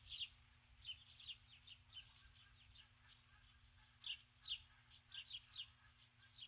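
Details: At dusk on 21 July 2015 a female osprey stands on the nest after bringing a stick and calls repeatedly for her absent mate. Distant high whistled chirps come in loose bursts with pauses, set against a constant low background hum.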